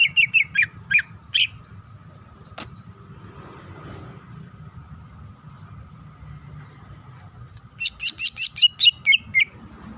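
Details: Greater green leafbird female in breeding condition calling the male, giving a cluster of high chirps and twittering notes, a pause with faint background hiss, then a rapid string of bright, slurred whistled notes.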